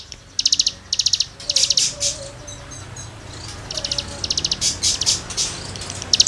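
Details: Cigun song recorded to tutor songbirds: clusters of high, fast, scratchy trilled notes come in short bursts with pauses between, and a few faint lower whistles.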